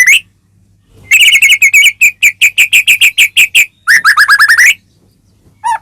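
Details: Caged white-rumped shama (murai batu), used to provoke another bird into song; a fast run of evenly repeated chipping notes, then a rapid descending trill, with a low hum behind.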